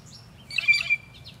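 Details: A blue jay gives one brief, harsh, scratchy call of about half a second, high and noisy, over a faint low rumble; one of three blue jays calling from above near the bottom of a waterfall while a chipmunk eats below.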